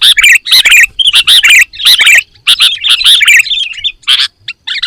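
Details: Sooty-headed bulbul singing full isian: quick runs of bright chirps and twittering warbles in clustered bursts separated by short silences, the phrases jumbled and lively, with no other clear sounds.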